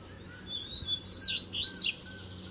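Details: Double-collared seedeater (coleiro) in a fighting duel as three birds arrive together. A short, fast run of sweeping whistled and buzzy notes that rise and fall, with a faint low hum beneath.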